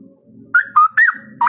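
A straw-headed bulbul gives four loud, rich, liquid whistled notes in quick succession, rising and falling, over a low background hum.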